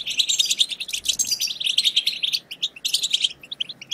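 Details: Continuous European goldfinch twittering, used to excite and stimulate other goldfinches: fast, high, jangling chirps and liquid trills packed closely together, with no pauses throughout.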